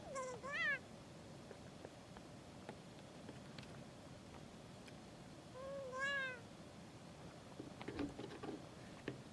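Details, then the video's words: A kea trying without success to break into gear, then checking out the camera, gives two drawn-out, nasal, cat-like mewing calls that rise then fall, about five seconds apart, with soft clicks and scraping between. "Kea trying to break into gear, and making funny noises"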